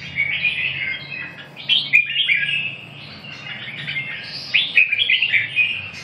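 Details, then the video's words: Red-whiskered bulbul song of liquid, warbled whistles in loose phrases, pausing near the middle before resuming with quick, rising and falling notes over a faint low hum. "Kênh về chim Chào mào"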